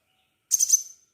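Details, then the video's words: Crimson sunbird in vigorous gacor singing, recorded as a lure to get other crimson sunbirds singing: one short, very high, thin burst of sharp twittering notes fading out quickly, with a silent background. "Burung kolibri sepah raja gacor - pancingan sepah raja agar bunyi"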